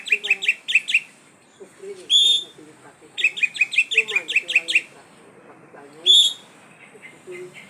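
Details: Oriental magpie-robin, poci type, singing busily: rapid runs of bright chipping notes broken by two loud, drawn-out whistles. Quieter low twittering continues in the gaps.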